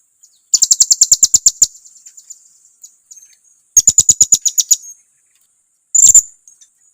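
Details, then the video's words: Blue-crowned hanging parrot giving a lure call meant to provoke rivals: two rapid bursts of about ten sharp, thin, very high chips each, then a single squeaky note near the end. "suara pancingan serindit, bikin kawannya emosi"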